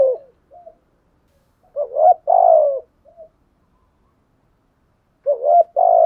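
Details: Decoy spotted dove cooing to provoke wild doves: a full two-part coo in the middle, a second starting at the end, and faint short murmured notes between. The coos are low, mellow and slightly descending.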